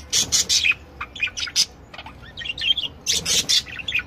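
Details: A group of different budgerigars in a breeder's collection warbling: dense bursts of raspy, buzzy chatter mixed with quick whistled chirps and clicks, loud phrases at the start and again near the end.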